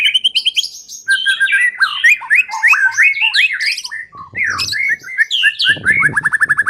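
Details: Lure song of the white-rumped shama: a rich medley of whistled and slurred phrases, rapid repeated notes at the start and end, with brief noisy bursts mid-way.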